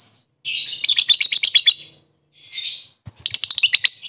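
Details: Lovebird calling rivals with fast, chattering bursts of shrill, scratchy notes, several per second, separated by brief pauses.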